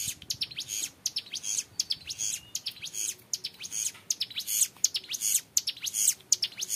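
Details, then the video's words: Young hill prinia in vigorous song, clear and long ngebren phrases: very high, quick ticking notes grouped into rattling bursts separated by short gaps, repeated about once a second. "MASTERAN CIBLEK GUNUNG MUDA GACOR NGEBREN PANJANG SUARA JERNIH"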